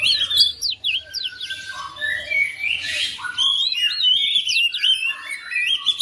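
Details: Home-kept oriental magpie-robin responding to another singer: fast, jumbled whistled phrases, upslurred and downslurred notes and brief harsh rasps, about three or four notes a second, uneven in rhythm.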